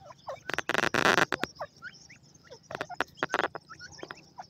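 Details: Grey francolin adults with their chicks: harsh, broad rasping bursts near the start and again around three seconds, mixed with short thin rising chick peeps scattered throughout.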